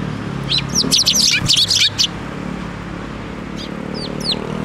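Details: Sparrows coming to a hand for food at a Tenmangu shrine, 7 May 2024: a dense, excited run of high chirps and twitters in the first two seconds, then a few thin calls over a low hum.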